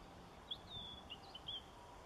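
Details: White wagtail at Kasumi Park on 13 October 2013: a short run of thin, high chirping notes, clipped and slightly upslurred, spread across about a second, over steady low background hum.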